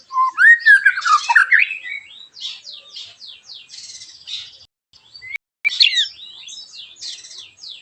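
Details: White-rumped shama singing sharp 'tembakan' song to lure other shamas: a tumbling, rising warbled phrase, then a long run of rapid thin high buzzy notes, a short gap and more rising whistles.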